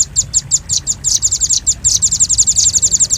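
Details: A short burst of velvet-fronted nuthatch chips for luring birds: high, hard notes that speed up into a tight rattling run, over a quiet low hum.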